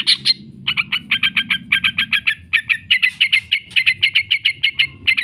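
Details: Yellow-vented bulbul lure recording of the drawn-out ngekek chatter: quick, clipped, slightly squawky notes repeated in a fast unbroken series for over five seconds, with a faint low rumble underneath.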